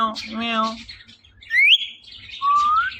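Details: Male pet ringneck parrot speaking a nasal, drawn-out syllable, then giving two clear rising whistles, close and loud, with faint hum behind.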